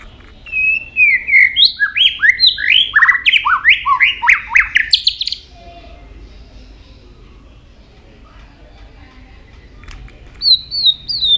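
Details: White-rumped shama with constantly flicking tail delivers a quick burst of rising whistled notes, about a dozen in rapid succession, then falls silent before one short high phrase at the end.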